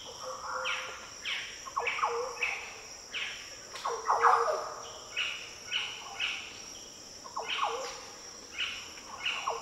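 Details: Deep, liquid, fluty phrases of Green orioles in Australia's Daintree coastal rainforest, several birds possibly countersinging, with quick repeated notes through the whole stretch against high droning insects.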